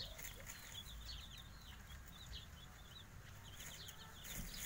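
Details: Javanese kampung chicks, five days old, peep in thin, high chirps that come in quick bursts with short pauses between them. A steady low rumble sits underneath.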